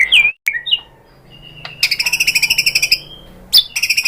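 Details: White-rumped shama lure song to coax shamas into answering, heard as scattered high whistled notes and a fast, even rattle-like trill of high notes.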